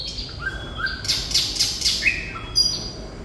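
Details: Thrush nightingale singing busily ('gacor'): whistled notes lead into a rapid series of loud, buzzy, broadband pulses, then a rising slur and further high whistles. A soft low drone sits underneath.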